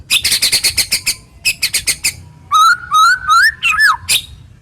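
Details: A white-rumped shama pours out coarse, piercing 'tembakan' song used as a lure for shamas that have stopped singing: quick runs of dry ticking notes, then a wavering whistled phrase sliding down at the end.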